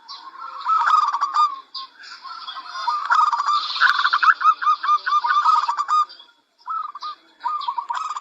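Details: Zebra dove of a local strain singing strongly as a model for other doves: runs of quick, stuttering low coos rising into trills, a short pause, then more phrases, with high twittering birds in the background.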